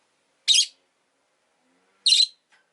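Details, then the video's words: Two rosy-faced lovebirds huddled at an entrance utter two loud, rasping, high chirps about one and a half seconds apart, with quiet between them. "Lovebird Chirping Sounds"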